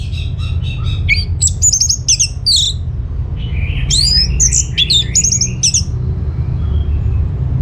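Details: Song of an orange-headed thrush, used to draw replies from other birds: rapid chattering notes, then sharp whistled slurs and buzzy trills in quick succession, with a constant low background hum.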